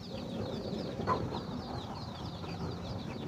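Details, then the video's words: Chickens finding food for their babies. Softer high peeping chirps run the whole time over strong low background noise, and a single short cluck stands out about one second in. "Chicken find a food for their baby"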